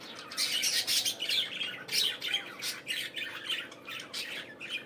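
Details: Unbroken budgerigar chatter on a morning: overlapping high, scratchy chirps and raspy squawks rising and falling in quick succession from several birds, with a steady low hum beneath.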